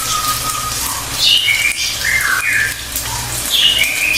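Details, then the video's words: Pied fantail giving thin whistled song notes: a drawn-out level whistle, then quick falling and rising slurred phrases that repeat near the end, with background hiss and a low hum. "KICAUAN BURUNG CILILIN"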